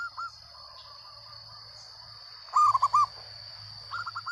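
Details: Local zebra dove in full loud song: a sudden rapid series of about five ringing coo notes, with softer notes before and after, over a steady high whine and low hum.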